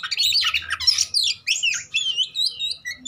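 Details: Oriental magpie-robin fighting song used as a lure for a bird that has stopped singing: a rough scratchy burst gives way to clear, slurred whistles and short high notes in quick phrases.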